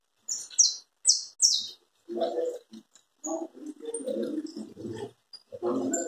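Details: Saffron finch, locally canário da terra, singing in the chapinha carritilha style: four loud, sharply descending high notes in the first two seconds, then a human voice talking over scattered faint chirps.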